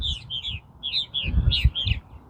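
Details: At least four purple martins at a nesting colony: bright, gurgling chirps in short clustered phrases, with low rumbling handling noise underneath.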